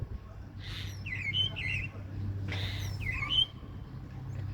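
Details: Common starling making two short bursts of harsh, scratchy chirps about two seconds apart, each a quick cluster of squeaky notes, over a steady low hum.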